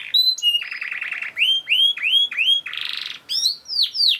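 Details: A canary in full, rapid song for tutoring other canaries: a short high whistle, a buzzy trill, four repeated arching whistled notes, a brief rasping buzz and closing falling slurs.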